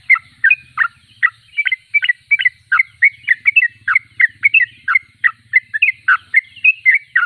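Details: Sooty-headed bulbul (trucuk), called a constant singer (gacor), repeating short liquid whistled notes and downslurs in quick rhythmic phrases over a soft low buzzing hum.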